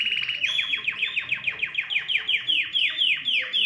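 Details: Canary song to stimulate other birds to sing: a rapid series of loud downslurred whistled notes, about four or five per second, delivered evenly and continuously.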